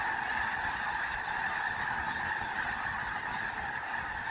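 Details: Snow geese massed in a large flock on Fir Island, Washington, trying to settle for the night, giving a steady unbroken wall of honks, many birds calling at once.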